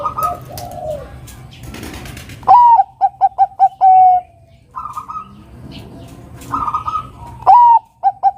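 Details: Bangkok zebra dove singing to lure a rival into song. One full phrase of a rising opener, five quick pips and a long coo is framed by softer, hoarse notes. A second phrase begins at the end.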